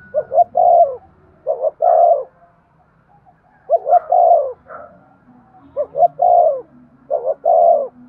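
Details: Spotted dove cooing to stimulate male doves to coo: five low, mellow phrases, each a couple of short soft notes running into a longer, slightly falling coo, separated by pauses, over a faint low hum.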